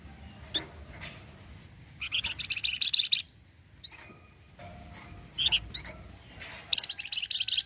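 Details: Actively singing orange-headed thrush giving cretetan chatter, a style said to set other birds answering; fast rattling high bursts around a second long alternate with brief rising whistles and quiet gaps.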